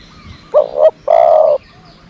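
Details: Decoy dove kept to lure other doves, giving one low mellow cooing phrase: a quick double-pulsed note followed by a longer, steady hooting coo, over quiet background.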